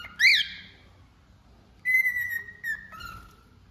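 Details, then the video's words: One sharp rising squawk from a cockatiel, a silent gap, then a long level whistle that settles onto a lower tone. "Calopsita Cantando"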